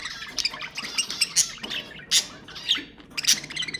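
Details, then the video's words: Budgerigar calls meant to stimulate breeding, heard as harsh squawks and scratchy chirps overlapping in a busy, continuous flock chatter with loud sharp peaks. "تحفيز البادجي على التزاوج أقوى أصوات طيور البادجي للتحفيز"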